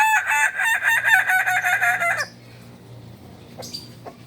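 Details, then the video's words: Kukuak balenggek chicken of special class, a native fowl of Solok, West Sumatra, gives a loud harmonic crow broken into about eight quick stepped syllables over two seconds, then stops abruptly, leaving quiet background hum and a faint click. "Ayam kukuak balenggek kls istimewa... Ayam asli solok sumbar"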